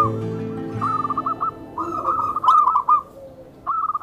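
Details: Tame zebra dove calling, used to lure and train other zebra doves: soft trilled cooing notes in short bursts, with a low steady hum and a music-like tone underneath.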